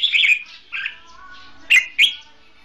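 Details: Caged decoy red-whiskered bulbul used in trapping: a short warbled phrase, a softer note, then two sharp, loud chirps near the end, over a quiet humming background.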